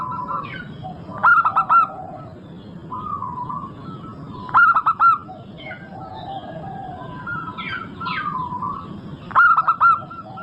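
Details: Lure recording of a local zebra dove that sings often: three short phrases of quick, staccato coos, spaced three to five seconds apart, among softer whistles and a few thin chirps from other birds.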